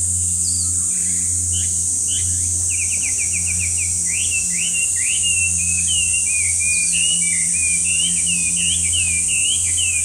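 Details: A loud Chinese hwamei sings a long string of ringing whistles. Rapid repeated short notes give way to sweeping up-and-down slurred phrases, over a constant shrill insect chorus and a low steady hum.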